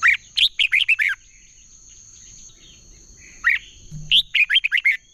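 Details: Chào mào, the red-whiskered bulbul, singing in a contest style meant to excite other bulbuls: two phrases of sharp, rolling chirped whistles separated by a short pause, over a faint steady high hum.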